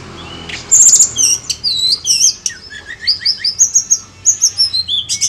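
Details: Sunda robin singing hard on a lure track: fast, varied high whistles with sweeping upslurs and downslurs, spaced in a steady jumbled stream, with a few harsh buzzy bursts at the start and end.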